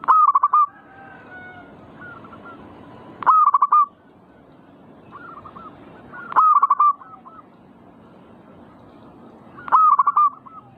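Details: Zebra dove singing in the 'manggung' style, meant to rouse other birds to sing: loud clipped cooing phrases of quick repeated notes arrive about every three seconds, with softer cooing from other doves between them.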